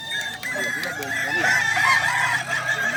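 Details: Kukuak Balenggek roosters at a crowing contest in Danau Bawah on Sunday, 6 October 2024; several long, wavering crows overlap one another against steady crowd chatter and background voices.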